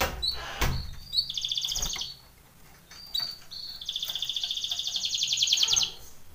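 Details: Canary song played for training young canaries: two long, rapid buzzy trills, each held for a second or more, separated by short whistled notes and a brief pause, with faint clicks in the background.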